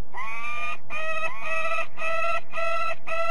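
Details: Peregrine falcon recorded at De Mortel in the Netherlands: six harsh, buzzy, level notes in quick succession, about two per second, the first ones rising slightly in pitch.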